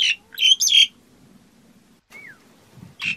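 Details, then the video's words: Black-collared starling giving a few harsh, grating squawks, then a long low murmur of background noise, one thin descending whistled note and a last rasping burst. "Tiếng Cà Cưỡng hót"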